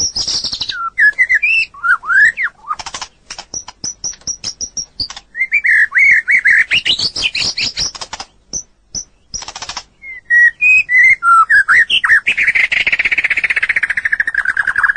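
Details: Vigorous song of a white-rumped shama (murai batu) from a long tutoring recording for other birds: high piping whistles, looping fluty phrases, dry rattles and a closing fast, even, scratchy trill lasting several seconds.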